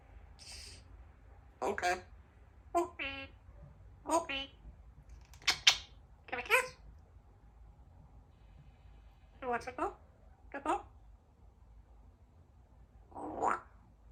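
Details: A female Congo African grey parrot practises her words, talking in short, speech-like phrases such as "happy birthday" separated by brief pauses.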